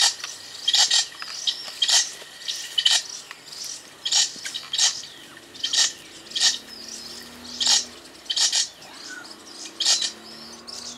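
Golden parrotbill giving sharp, high, clipped chip notes about once a second, with faint thin twitters between them.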